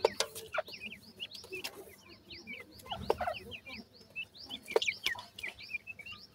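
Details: Several teetar chicks peeping steadily, quick high chirps with a sharp downward flick, overlapping irregularly, accompanied by scattered taps and brief rustling noises.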